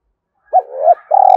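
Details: Spotted dove cooing to lure birds: a brief hooked coo running into a smooth, swelling note, then a steady, slightly pulsing coo cut off abruptly at the end.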